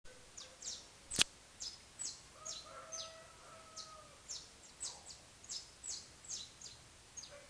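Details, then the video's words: Saffron finch singing at a little after 5 in the morning while still dark: short, bright, high chips repeated about twice a second. A lower, drawn-out tone sounds briefly in the background, along with one sharp loud click. "Despertador natural! Canário da Terra !"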